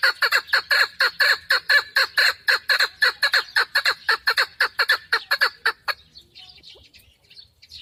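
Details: Rhythmic, rasping chuk notes from a female hunting chukar partridge, delivered rapidly and evenly for about six seconds, then stopping, leaving only faint low sounds.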